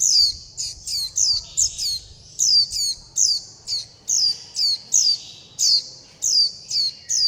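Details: Nestling-stage Warbling white-eyes begging for food and calling to mother and flock, uttering about seventeen insistent high-pitched, downward-sweeping squeaks in a fast, almost continuous series.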